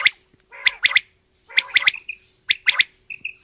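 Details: Female and male quail calling together: quick three-note bursts of sharp, high clicks come roughly once a second, with short mellow whistled tails between groups. The background is quiet.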